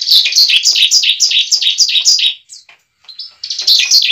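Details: Bar-winged prinia fighting song, a lure meant to make a newly kept bird sing and fight quickly: rapid high chirping notes repeated about four times a second, a short pause with a few thin whistles, then the chirping resumes.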